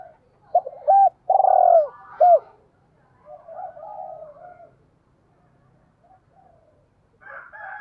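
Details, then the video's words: Spotted dove decoy cooing to lure wild doves: one loud phrase of short clipped notes, a long buzzy falling coo and a final arched note, then soft, faint cooing and chirps. "tiếng gáy gọi giọng hạp bổi dùng kích bổi mỗi ngày"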